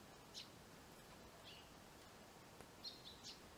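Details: Eurasian tree sparrows settling into a handmade bird house; a few sharp, high chirps, the last two close together, over soft outdoor hiss.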